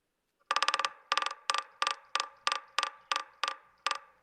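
Williamson's Sapsucker drumming: a long opening burst of rapid pecks, then about eight shorter, evenly spaced bursts of a few knocks each.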